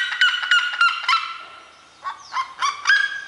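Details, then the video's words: Red-legged seriema calling: loud, harmonic-rich yelping notes repeated about four per second, fading into a slow descending trail, then a fresh burst of sharp yelps after a short pause. "Quem não tem Galo vai de siriema"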